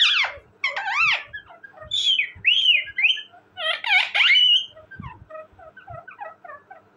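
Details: A pet talking parrot with a rapid run of loud whistled and chattering notes, several rising-falling harmonic sweeps and buzzy bursts in quick succession, fading into softer chirps toward the end; faint low thumps beneath.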